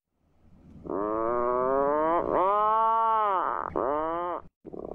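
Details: Atlantic puffins on cliffs of a small island by the sea: deep, drawn-out groaning moans, three connected phrases that swell and sag in pitch, each over a second long, ending abruptly.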